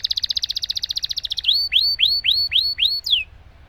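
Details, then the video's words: A canary in full song with a long roll, played to prompt silent canaries to sing: a fast, even trill of high buzzy notes for about one and a half seconds, then six loud downslurred whistles in steady succession. "Burung Kenari Gacor Ngerol Panjang Untuk Pancingan Kenari Macet"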